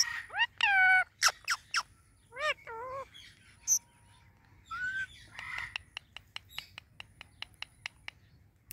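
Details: A pet talking ringneck parrot, being touched, gives harsh, wavering squawks and warbled talking phrases, then a slurred call, followed by a quick run of sharp clicks.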